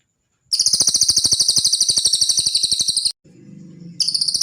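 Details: Cililin song from a masteran training recording for songbirds: a high, rapid, pulsed buzzy trill held for about two and a half seconds, breaking off into a low humming pause, then starting again.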